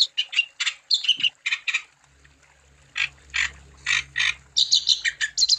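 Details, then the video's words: Chatty wambi song used to spur other wambi birds into singing: quick buzzy chirps with whistled flourishes, a one-second pause carrying a faint low hum, then slower harsh notes and another fast burst. "Burung Wambi Gacor Untuk Umpan Supaya Wambi Anda Tambah Gacor"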